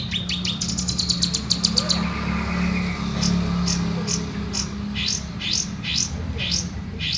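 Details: Home-kept long-tailed shrike singing actively, opening with a quick string of high staccato chips, then softer spaced notes over a loud, constant low hum of background noise.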